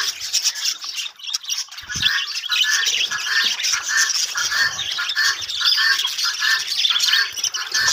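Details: Budgerigar breeding colony giving a continuous busy chorus of squawks, chirps and warbles, many voices overlapping without pause for about eight seconds.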